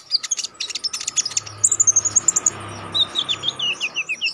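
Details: Konin used as a training song for contest birds, singing steadily and sharply: rapid clicking chips at first, then a fast series of high whistled notes, then a string of shorter downslurred whistles. A faint hum sits underneath.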